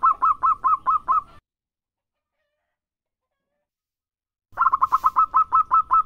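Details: Local zebra dove, described as a frequent singer, giving a rapid run of short, clipped cooing notes at a steady mid pitch, roughly two to three per second. A silent pause follows before a second, quicker burst of the same notes.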